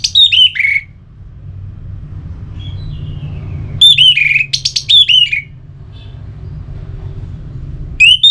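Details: Song of an orange-headed thrush, played to stimulate singing in kept birds: loud phrases of sweet, varied whistles with sharp upward flicks, separated by pauses of several seconds, over a faint low hum.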